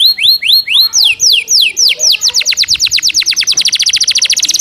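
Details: Canary trained with Java sparrow fill-in, fast dense delivery: a few clear upward-curving whistles, then falling notes quickening steadily into a fast ringing trill.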